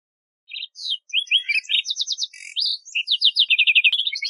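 A lark sparrow sings a rich, jumbled run of clear notes, buzzes and fast stuttering trills, high-pitched and ending in a rapid rattle, with nothing else heard.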